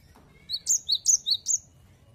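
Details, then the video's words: Actively singing cinereous tit giving five rapid, piercing two-note 'wu-cit' phrases, evenly spaced about 0.2 seconds apart, after a short faint lead-in; otherwise calm background. "Gelatik Batu Gacor Wucit Wucit Suara"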